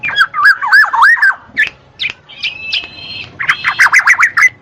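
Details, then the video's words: Black-naped oriole, used as playback to prompt lazy cage birds to sing: fluty, wavering whistles around mid pitch, a short pause, a higher sustained harsh note, then a fast run of bright, bouncing whistled notes. "SUARA KEPODANG MAS"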